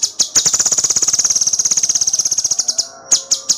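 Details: Cucak cungkok tutor song: a few loud, high, separate chips lead into a long, rapid, buzzing trill lasting over two seconds, followed by more spaced sharp notes.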